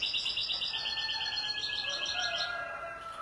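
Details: European goldfinch singing a rapid, dense twittering trill of bright, high buzzy notes that runs unbroken for about two and a half seconds, then fades. A faint, lower whistled tone sounds in the background.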